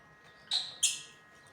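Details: Pet lutino lovebirds giving two short, sharp, high chirps about a third of a second apart, each dropping off quickly, over a quiet background.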